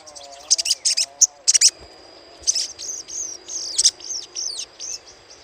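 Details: Chattering of the little spiderhunter, used to lure birds: a rapid series of loud, high chips at first, then a stretch of sliding, twittering notes; a steady faint tone runs underneath.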